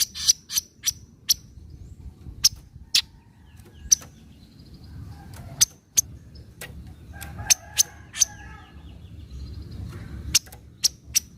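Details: Lure recording of a Javan kingfisher's 'nyecret' call for prompting quiet birds: hard, clicking chips in loose groups separated by pauses, with a soft low rumble underneath.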